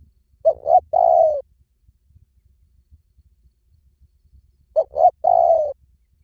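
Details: Spotted dove call played as a lure, heard twice about four seconds apart. Each phrase is a pair of quick coos and then a longer coo that sags in pitch, with silence between.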